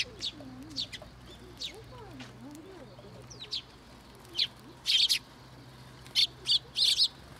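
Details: Morning sparrows seeking food at a Tenmangu shrine, 18 October 2022; high chirps repeated irregularly, building to louder paired bursts near the end, with a low wavering call running underneath early on.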